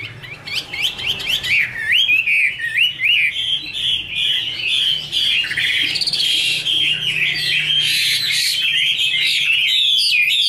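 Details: Caged female Chinese hwamei singing while a male sounds in the background: rapid rising whistled notes, then a long dense stream of warbled, slurred whistles and buzzy phrases, steadily loud.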